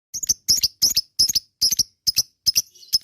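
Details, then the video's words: Lovebird giving sharp, high chirps in short clustered bursts of two or three notes, about one burst every 0.4 seconds, used as a lure recording to prompt lovebirds into long ngekek song. "LOVEBIRD KICAU ngekek Panjang"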